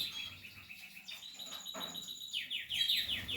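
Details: Portuguese harlequin canary during nest building, singing a stuttering chatter that breaks into a fast series of descending swept notes, with a faint low background hum.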